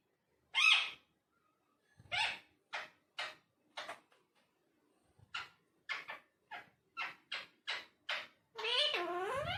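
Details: Talking parrot indoors: a quiet series of short, harsh speech-like syllables spaced about half a second apart, ending in a longer warbling, wavering vocalization.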